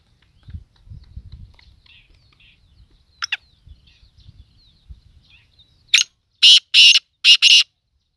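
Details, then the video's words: Black francolin calling in Sindh, Pakistan: after six seconds of near-quiet with faint low rumbles and a brief sharp note, a loud harsh grating phrase bursts out, one short note followed by three longer rasping notes in quick succession. "kala Teeter"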